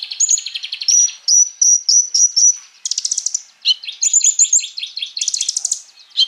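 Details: Crimson Sunbird (konin) in lively full song, meant to coax other birds into singing. A series of high whistled notes gives way to buzzy rattling trills and quick chips.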